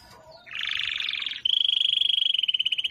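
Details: Canary producing a short burst of buzzy warbling followed by a steady, evenly pulsed high trill.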